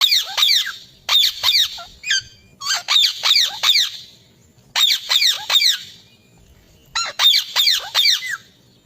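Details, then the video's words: Green parrot calling in short bursts of harsh, rasping screeches, three to five rapid squawks per burst, with pauses of about a second between groups. "Mithu Ki Awaj"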